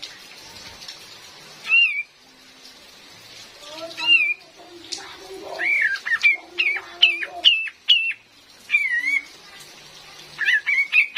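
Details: Female cream-vented bulbul, lure for trapping in forest, with real rain: spaced wavering whistles, then a quick string of sharp downslurred whistled notes and more warbling whistles toward the end, rain hissing behind.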